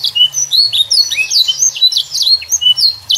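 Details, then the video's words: Young canary song used to prompt juvenile canaries to sing: rapid high slurred notes, sweeping whistles and buzzy trills packed closely together, light low hum in the background. "RANGSANG BIRAHI DAN ISI VARIASI LAGU KENARI PAUD CEPAT GACOR ISIAN MEWAH"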